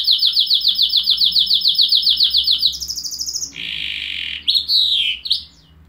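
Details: Loud close canary song: a long fast run of repeated sharp notes, a higher rapid trill, a harsh buzzy roll, then a swooping whistled flourish.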